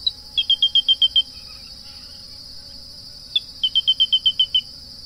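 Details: Grey-breasted crake giving two series of rapid, high, clipped notes, each introduced by a single separate note, over a constant shrill insect buzz.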